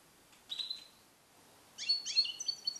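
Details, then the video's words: Captive-bred, song-trained European goldfinch male, hatched in 2021 and schooled in Neapolitan passages; a brief thin whistled note, a pause, then a quick run of sharp high twittering phrases. "Cardellino Passata Napoletana 2021 - KH24 - European Goldfinch - Jilguero cate limpio"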